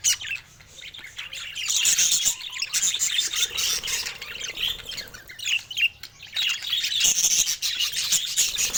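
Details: Budgerigar chick calling for the first time: rapid, squeaky chirps and buzzy warbles, several per second, fading briefly then resuming loudly.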